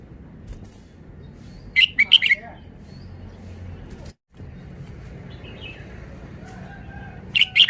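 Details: Red-whiskered bulbul singing two brief phrases of rapid, liquid chirping notes separated by several seconds of near silence with soft background hum and a short dropout.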